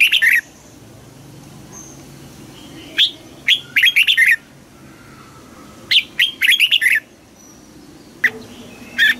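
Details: Red-whiskered bulbul kept for contest singing repeats bright, whistled phrases: an isolated sharp note, then a burst of four to six quick warbled notes, several phrases separated by pauses of one to two seconds.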